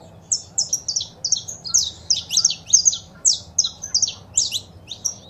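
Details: Male saffron finch singing alongside female calls, played to encourage a pet bird to open its song. Rapid strings of sharp, downward-slurred chirps, sometimes doubled, with a couple of short pauses.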